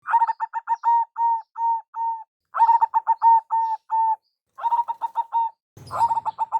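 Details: Local zebra dove lure call, described as a big, special voice. Three phrases of rapid, even coos rise into longer drawn-out notes, each phrase lasting about two seconds with short pauses between them. A brief rustling noise comes at the end.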